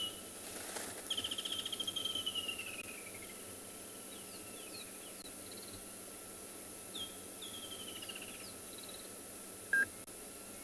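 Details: On a South African game reserve, during a morning safari drive on 3 December 2020 at a small pan, Woodland Kingfishers give two loud, high trills sliding steadily downward, each about two seconds long, amid soft chirps of many active birds and an insect hum.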